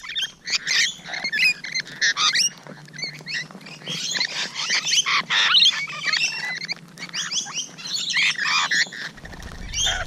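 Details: Rainbow Lorikeets at close range on a June morning, a dense, continuous chatter of harsh screeches and shrill rising and falling whistles from several birds, overlapping throughout.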